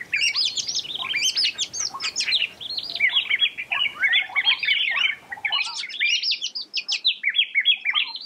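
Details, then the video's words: Continuous varied whistling and twittering from an Oriental magpie-robin, with quick high chirps, rising and falling slurs and rapid note runs, loud and nearly unbroken throughout. "鵲鴝 Oriental Magpie Robin"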